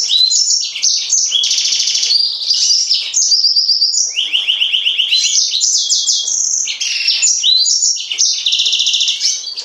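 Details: Serinus mozambicus in steady full song, a loud continuous stream of high rapid trills, buzzy rattles and whistled slurs without pause.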